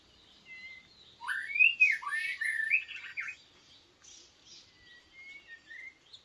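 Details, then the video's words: White-rumped shama kept as a decoy bird for trapping and called a weak decoy: bursts of rich, slurred, varied whistles and warbled notes clustered early, then sparse thin high whistles over a quiet background. "bấy chòe lửa mồi yếu quá chời"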